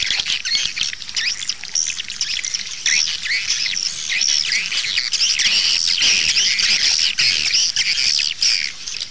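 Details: Swiftlet lure sound for nest houses, a continuous high-pitched mass of chattering chirps and squeaky twitters, dense and rapid throughout.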